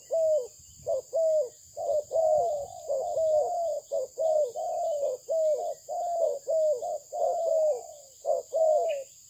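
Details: A Malaysian-bred spotted dove coos steadily, about one note a second, mixing short clipped coos with longer falling ones in a continuous rhythmic series. A constant high hum sits behind.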